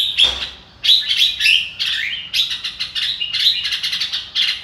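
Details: Red-whiskered bulbul singing a rapid run of bright chirping, warbled phrases, notes clustered in short bursts with brief pauses between them, clear and close against a quiet background.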